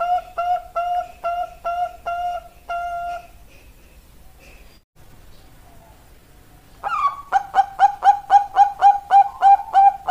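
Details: Zebra dove of the Bangkok perkutut type, with a burst of short, even coos, then a quiet pause, then a fresh fast run of about a dozen clear, level hooting notes.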